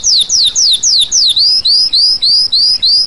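A Red-crested Finch sings a rapid run of high, thin whistles, first sliding downward, then turning to short upslurred notes, about four per second.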